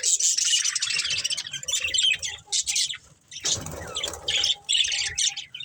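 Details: Budgerigars chattering in quick high squeaky bursts while playing and feeding, with a short rustling noise midway and a faint steady tone in the background.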